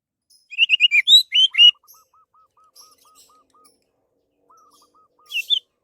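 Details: Orange-headed thrush singing as a lure for other birds: a rapid burst of about eight slurred whistled notes, then a soft, regularly repeated low clicking series and a brief closing phrase.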